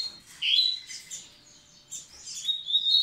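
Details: Double-collared seedeater singing to ready the females: softer high whistled slurs and scattered twitters with quiet gaps, then louder whistled notes rising toward the end.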